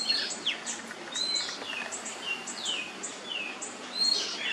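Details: ['Nyemplong-style oriental magpie-robin song used to coax other birds into singing: quick high chips mixed with clear downward-sliding whistles, several phrases in a few seconds, over background hiss.']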